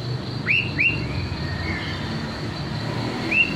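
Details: Young wild white-rumped shama, with a juvenile released, recorded to lure birds into full loud singing; sharp rising whistled notes, two close together then one later, over steady low engine-like hum.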